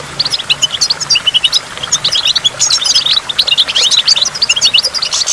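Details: A goldfinch sings near a waterfall, delivering busy, sparkling twitters and short trills in quick succession, high and clear, with a soft background rush of water throughout.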